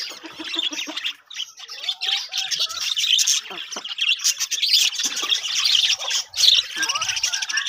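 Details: Breeding colony of budgerigars, a thick mix of squeaky chirps, warbles and harsh squawks from many birds, briefly quieter just after the first second.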